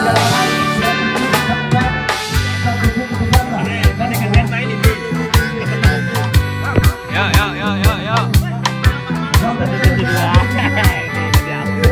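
Steady rhythmic music with drums and instruments at about two beats per second, with some voices mixed in and no clear animal sound.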